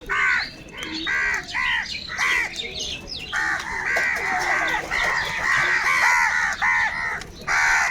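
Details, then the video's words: Large flock of crows fighting for food, calling together: harsh, nasal caws repeated in quick bursts of roughly three per second, overlapping voices forming a near-continuous chorus, with short pauses between runs. "Kaka sound and noises of Crow birds | Huge numbers of crows crowing and crying sounds"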